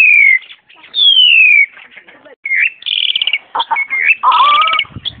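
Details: Caged Black-collared Starling met during a mountain hike, recorded 14 March 2010, a bird said to mimic other birds' calls; loud, high, descending whistled slides alternate with harsh chattering and buzzy notes in quick, irregular bursts.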